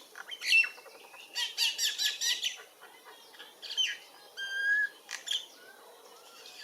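A myna chatters in a varied run of harsh squawks, rapid repeated chips and clear whistled notes, bursts coming every second or so with brief pauses.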